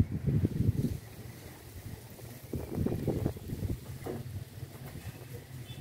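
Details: Gusty wind buffeting the microphone outdoors, with low rumbling and short murmurs of human voices, and no clear animal calls.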